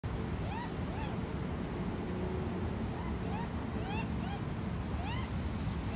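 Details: An Australian magpie feeding its baby gives short, rising whistled notes roughly every half second to second, over a steady rush of wind or surf.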